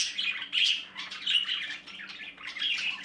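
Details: Budgerigar young inside the nest uttering rasping, chattering squawks in several bursts about half a second apart, with a faint background hum.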